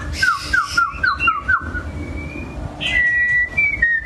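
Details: Long-tailed white-rumped shama giving a run of short slurred whistles about every quarter second, followed by long level whistled notes; low hum in the background.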